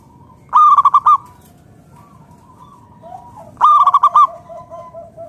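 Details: Zebra dove, a local natural bird singing loudly, recorded to coax other doves into song: two bursts of five to six rapid, bubbling coos about three seconds apart, with soft, long, level coos from another dove between them.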